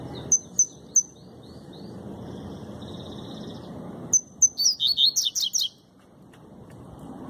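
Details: A formerly owned Double-collared Seedeater (coleiro) gives its fast, short song: three sharp, high whistled notes, then a quick burst of bright, buzzy twittering that ends within two seconds, over a low steady hum.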